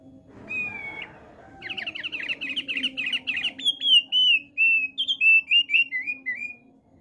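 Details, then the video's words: A single flat whistle opens this male thick-billed white-eye's song, followed by rapid warbled chatter and a run of separate high, slurred whistles, over a faint low hum. "OPIOR PARUH TEBAL JANTAN LAGI NGOCEH"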